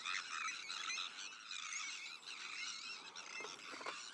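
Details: Sandwich tern breeding colony, alongside black-headed gulls, arctic and common terns, filled with rough, scratchy overlapping calls and a few clearer rising squeals within the steady chorus.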